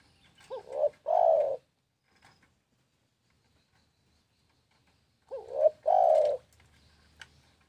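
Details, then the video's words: Repeated spotted dove song, two phrases nearly five seconds apart, each a quavering rising-falling coo leading into a long, loud, even coo, with near silence between. "SUARA BURUNG TEKUKUR"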